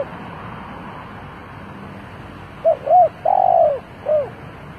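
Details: Spotted dove used as a decoy to call in wild birds; after a quiet hum-filled pause comes a single phrase of short arched coos around a long, rough, rolling middle coo.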